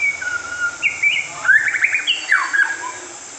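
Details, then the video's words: Brightly coloured white-rumped shama singing sweetly: mellow whistles and slurred, rising and falling notes in a varied phrase, with a steady high hiss behind. "นกกางเขนเขนดง สีสวย ร้องเพราะมากๆ"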